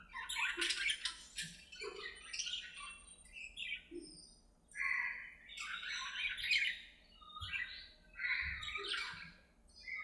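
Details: Budgies playing together in an aviary, softly chattering in a stream of varied short warbled phrases, buzzy squeaks and chirps, with occasional low clicks.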